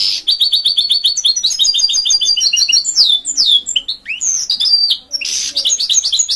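A goldfinch mule sings a bright, fast song of twittering trills and sweeping whistled notes.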